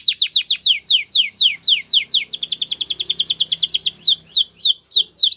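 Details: Canary song for training: repeated descending whistled sweeps, then a quicker trilled series and more falling whistles, loud and high-pitched over faint low background sound.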